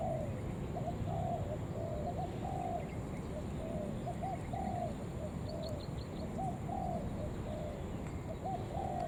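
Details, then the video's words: Lure calls of a spotted dove meant to attract other doves: a steady run of soft cooing notes, short phrases recurring about every second, above a constant low noisy hum and a brief faint high twittering. "Tiếng Chim Cu Gáy Gọi Thúc Kèm"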